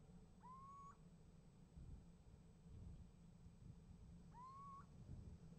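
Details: Little owl at a nest box, 28 January 2015, calling and receiving a reply. Two rising, drawn-out whistled notes sound about four seconds apart against a constant low background rumble.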